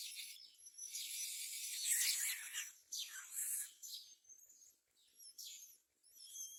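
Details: Myna parents busy finding food, including crickets, to feed their nestlings give harsh, raspy, high-pitched calls in uneven bursts, mixed with a few thin, clear whistles.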